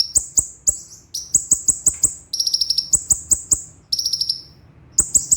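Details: A sunbird (konin, or kolibri ninja), recorded as a training song for other songbirds, sings very high, sharp, thin notes in quick strokes, broken by fast buzzy rolls of even, rapid notes lasting about a second.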